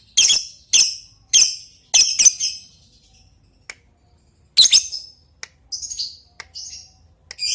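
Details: Lovebird calling an opponent before long chattering: a fast run of five grating, high screeches, a pause, then more scratchy calls and thin chirps.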